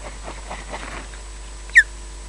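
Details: An osprey at its nest at Loch Garten, Scotland, defending the nest, gives one sharp, high whistled alarm note that slurs downward, after a second or so of faint, low background murmur.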